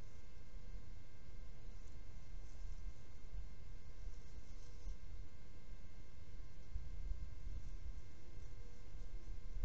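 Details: Continuous low rumble and electrical hum with faint steady tones, no animal calls present.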